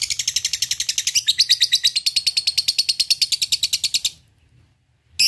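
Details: Lovebird 'ngekek' chatter used as a lure to provoke rival birds. A long, fast series of shrill, clipped notes, about three per second, holds steady for four seconds, then stops into silence before one last sharp note.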